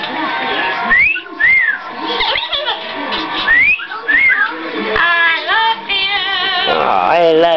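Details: Pet parrot singing "I love you" along with its owner indoors: clear whistled notes that rise and fall, mixed with human singing and talking, then warbling, wavering whistles toward the end.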